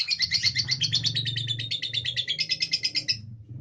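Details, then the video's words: Training recording of lovebird ngekek meant to set other lovebirds singing: a rapid, high, chattering trill of buzzy pulses over a low background hum, stopping abruptly near the end. "Masteran love bird durasi panjang|mancing lovebird ngekek"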